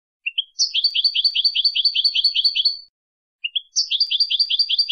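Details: European goldfinch song for training contest birds: two quick introductory notes, then a fast, bright, evenly repeated twitter lasting over two seconds, heard twice with a short pause between.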